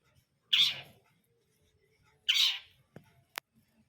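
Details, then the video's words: Long-tailed shrike, brundol style: two loud, harsh, hoarse screeches nearly two seconds apart, followed by a couple of sharp clicks. "KICAUAN CENDET BRUNDOL"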